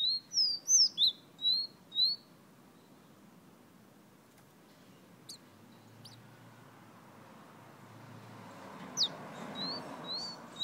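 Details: Whistling fire-red bird from Guyana: a quick burst of high, clear, slurred whistles over two seconds, then a long quiet stretch with faint clicks, and two more brief whistles near the end.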